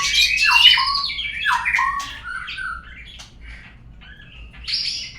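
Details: White-rumped shama song played to draw out birdsong: loud descending whistled slurs and harsh notes at the start, then softer scattered chips, closing with a high bright note.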